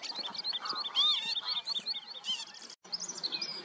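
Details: Northern lapwings in a chattering series of short, high, bouncing notes with one loud slurred arched call midway, cut briefly before more high calls resume.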